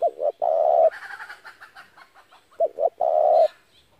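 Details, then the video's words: Spotted dove cooing for trapping doves: two short coos and a long loud coo, repeated twice. A harsh, scratchy burst of another sound fills the gap between the phrases. "tiếng chim cu gáy hay kích mồi rút bổi tốc độ cực chuẩn"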